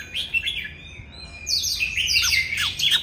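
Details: An older wild-caught Oriental magpie-robin belts out its song: short whistled notes, then a dense, fast flurry of bright warbled and chattering phrases with quick downward slurs.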